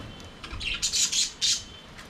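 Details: Budgerigars in an aviary, singing and playing: a brief run of harsh, high scratchy squawks, four quick loud notes in about two seconds.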